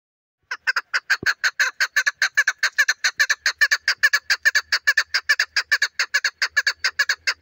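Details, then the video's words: Female chukar partridge giving a fast, steady run of harsh chuck notes, roughly five to six per second, sustained for about seven seconds against a quiet background. "female chakor best voice"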